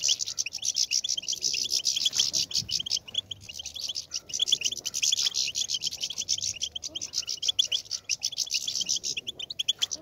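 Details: European goldfinches in a natural setting, a dense chorus of high twittering and tinkling notes, continuous and overlapping, with several birds singing at once and faint low rumble beneath.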